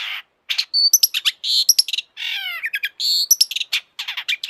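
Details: Long-tailed shrike singing energetically, used as a lure to get other shrikes singing: dense rapid chatter mixing high sharp whistles, rasping buzzes and a short falling trill, in quick, nearly continuous phrases.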